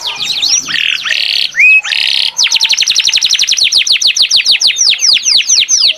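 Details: Singing canary opens with buzzy tones and rising whistles, then launches into a long, steady trill of rapid down-slurred notes.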